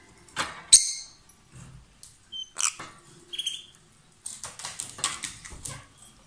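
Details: Lovebirds as a pair, singing strongly while billing and sharing food: one sharp shriek, then scattered thin chirps and a quick series of scratchy notes.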